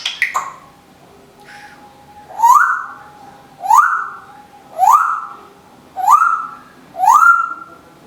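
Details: Captive female Timneh African grey parrot repeats a rising swooped whistle five times, about every 1.2 seconds, each opening with a short noisy click, after a few sharp opening notes.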